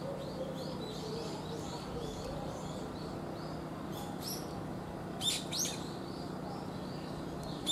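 Brown-eared Bulbul gives a few loud, harsh, shrill bursts in the second half, over faint high chirps and a steady low hum of distant traffic.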